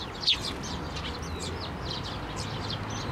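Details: Eurasian tree sparrows flying to a hand for food, one chick among them, at a Tenmangu shrine, 17 May 2024; a sharp downward note, then dense overlapping high chirps from several birds.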